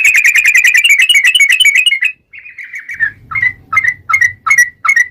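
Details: Rapid ringing trill of a yellow-vented bulbul in gacor ropel song, used as a lure to spur other bulbuls: two seconds of fast, even notes, a drawn-out slurred note, then spaced sharp chirps.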